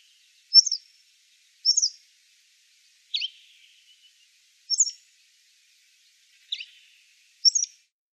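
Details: Riverside grey wagtail on the Lieser, 2017, giving six crisp, high call notes at roughly one-and-a-half-second intervals, some lower notes trailing into a brief fading buzz.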